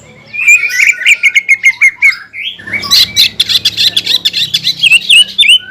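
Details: Greater green leafbird (cucak ijo) tutor song, champion class, with luxurious fill: a run of quick clipped notes and slurs, followed by a dense, scratchy, chattering passage of mixed high chirps.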